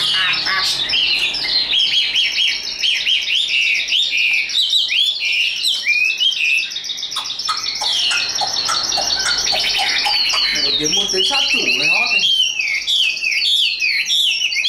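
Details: Hand-tamed caged Chinese hwamei singing high and loud: a long, varied medley of rapid trills, ringing whistles and swooping slides, with a lower warbled passage near the end.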